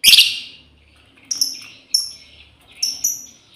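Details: A female lovebird calls its companions: one loud, harsh burst at the start, then several thin, high, short descending whistled chirps spaced under a second apart.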